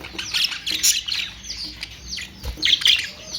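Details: Budgerigar calls come as separated short chirps and squeaky warbled notes, some sliding downward, with brief gaps between groups of calls.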